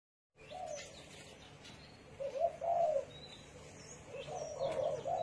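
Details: Spotted dove cooing: a low, soft phrase of rounded notes around the middle of the recording, then another rolling coo series near the end, with faint high chirps of small birds behind.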